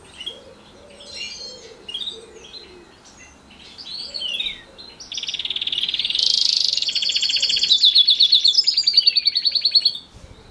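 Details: Singing housefinch x canary hybrid during a morning training session: quick varied chirps and slurred notes build into a loud, extended rolling trill with buzzy and whistled segments, a faint low cooing in the background.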